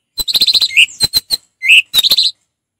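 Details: Orange-headed thrush, a kept songbird, singing calmly; fast series of chirps mixed with clicks, a slurred whistle, and another quick chirping run.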